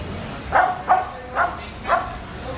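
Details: A macaw hiding among branches gives four harsh, raspy squawks, each short and rough-edged, spaced roughly every half second, over a low steady background hum.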